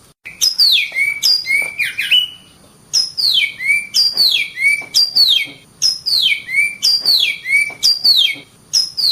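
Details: Oriental magpie-robin singing vigorously: loud whistled phrases that slide down from high to low, each ending in a short rising note, repeated in regular bursts about every second with a brief pause near three seconds.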